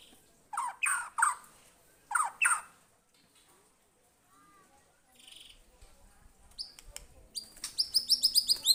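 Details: White-rumped shama reacting to a lure recording: harsh raspy bursts, a quiet gap, then a fast series of high, bright descending notes.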